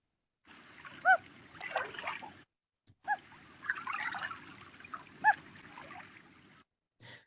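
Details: Common Loon giving two soft, short hoots about four seconds apart, its very quiet short-distance call used when birds are right next to each other, over a steady wash of water and wind noise; Minnesota.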